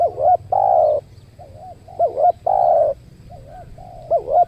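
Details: Spotted dove cooing during a luring session with a trained decoy dove at a new site, where a wild dove attacked the decoy and fled: rolling, wavering coos alternating with long steady tones, repeated roughly every two seconds, quiet background.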